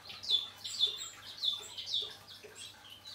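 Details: Male painted bunting that has finished moulting, repeating sharp high chirps roughly twice a second, each note short and slightly downslurred, a low hum beneath.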